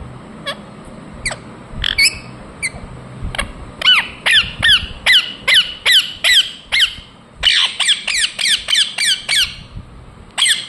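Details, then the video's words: Indian ringneck parakeet chirping in a long series. Scattered sharp notes give way to a steady run of shrill, downward-sweeping squawks, about two per second, ending with a last isolated call. "Parrot Chirping sounds Natural Sound | Ringneck parrot Naturals Sound"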